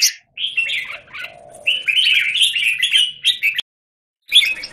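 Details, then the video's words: Caged Red-whiskered bulbul in a square cage, 17 Jan 2019: warbled, slurred phrases build into a long bright run, then a clear silence before a final short burst. "Jambul - WingChun mastery of the square cage"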